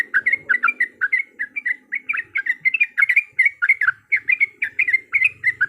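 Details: Energetic trucukan fighting-song lure from a yellow-vented bulbul: quick chattering bursts of gurgling, slurred notes tumbling one after another, closely spaced and steady, over a soft low rumble in the background.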